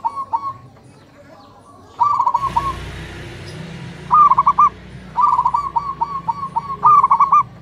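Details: In a morning exchange between local zebra doves, a brief broadband burst of noise is followed by rolling, pulsed coo phrases. A longer run of quick trilled notes and a final bright phrase come near the end.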